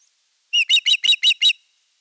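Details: Six loud, evenly spaced, shrill chirps within one second, from the Eurajoki osprey in courtship display to an unringed female, 25 April 2022; silence before and after.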